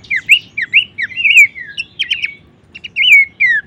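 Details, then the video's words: Bush warbler song for training songbirds: brisk rising whistles and buzzy slurs, then a short cluster of clipped notes, a brief gap, and a final falling whistled phrase. "materi vokal mewah cetak jawara dengan masteran Topcerr khas burung pelanduksemak"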